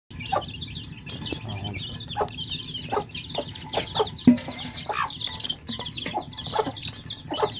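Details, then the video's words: Thirsty baby chicks drinking fresh water: a flock peeps constantly in high, short, wavering chirps, with regular sharp taps from pecking and a low rumbling background hum. "Thirsty Chicks Quenching Thirst With Fresh Water Baby Chicks Relaxing Sound"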